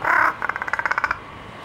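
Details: Jungle or large-billed crow at Ueno Zoo, Japan, using varied voices: one short hoarse caw followed by a rapid clicking rattle of roughly ten pulses that fades out.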